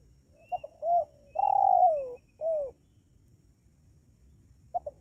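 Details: Cooing of a spotted dove played as a lure for wild doves: short paired notes, a rising coo, a long drawn-out falling coo and a final shorter falling note, then the next phrase begins.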